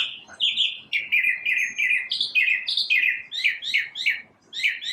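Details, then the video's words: A single unidentified bird singing in the morning, making all the different sounds alone: a lively mix of slurred whistles and quick chirps, rising and falling, delivered almost continuously. "Birds chirping | Bird chirping sounds | Bird singing | Morning bird sounds"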